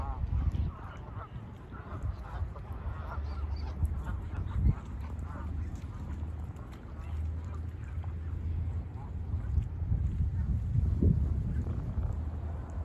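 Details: Many geese on a pond give a steady stream of overlapping nasal honks and cackles, dense and irregular, beneath a heavy low rumble of wind or background noise.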